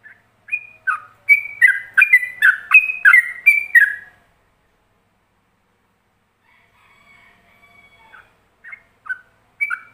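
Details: Yellow-vented bulbul singing a ropelan phrase used as a training master for other bulbuls: a rapid run of bright, alternating whistled notes for four seconds, then a pause and a few scattered notes near the end.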